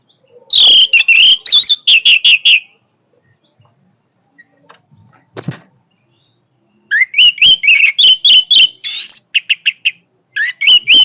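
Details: Orange-headed thrush singing vigorously in two bursts of rapid, sharp slurred whistles and chirps, with a quiet gap and a faint knock between them.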